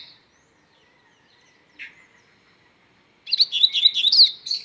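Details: Singing strongly, a Double-collared seedeater is quiet at first apart from one soft note, then breaks into a fast, high, tumbling phrase of slurred chirps lasting over a second.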